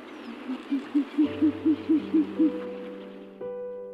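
An owl gives a quick run of about eight short, hollow hoots, roughly four a second, on a low even pitch, over steady droning musical tones.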